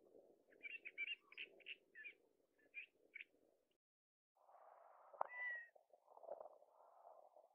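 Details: Male Gambel's quail in the Sandia Mountain Wilderness on a windy day, announcing his breeding availability with a quick run of about eight short, mid-pitched notes over two and a half seconds, then steady low rumbling wind noise.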